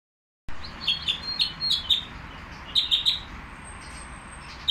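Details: Nightingale singing at a bird market: short bright chirps and brief whistled phrases in scattered bursts, separated by pauses, over a steady low background hum.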